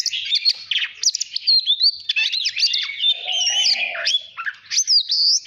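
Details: White-rumped shama, a cage bird, singing to provoke competitive song. A dense, continuous jumble of rising and falling whistles and sharp chips, with a low warbling note running for about a second near the middle.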